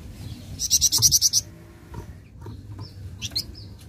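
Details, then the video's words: Flameback reacting at once to a recording played once: a quick, loud rattle of about seven sharp high notes, followed by faint scattered chirps and soft whistles from other birds. "Sekali Putar Bahan Flamboyan Langsung Nyaut"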